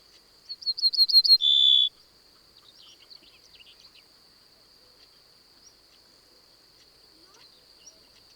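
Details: Ortolan bunting song recorded in the Cévennes in 2010 with a parabolic reflector: about six quick, high ringing notes, then a longer, lower steady note, with clicks, voices, a dog bark and handling noise.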